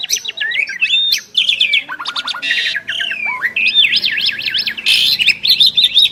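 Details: Two prized Asian pied starlings singing a duet: a dense run of whistled zigzag notes, fast rising and falling slurs, buzzy harsh bursts and rapid clicking trills, loud and continuous throughout.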